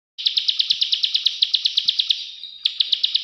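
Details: Plain prinia, called prenjak sawah, giving its clicking call: a fast, steady train of sharp high ticks, about nine a second, briefly fading near the end before a fresh burst resumes.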